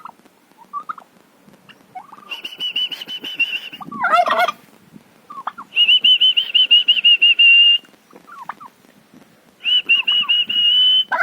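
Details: Turkey at a farm house: sustained, rapidly pulsing high calls lasting one to two seconds, separated by soft gaps filled with brief rising squeaks and a few sharp notes.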